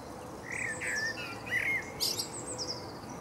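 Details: Male common blackbird singing in Berlin, Germany, in April 2015: low, fluty whistled phrases that rise and fall, each ending in a thin, high twittering flourish, with soft background noise.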